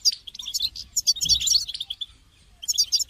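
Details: European goldfinch kept in a cage, calls meant to stimulate another goldfinch to sing; a dense run of tinkling twitters, a brief lull, then further bright chirps.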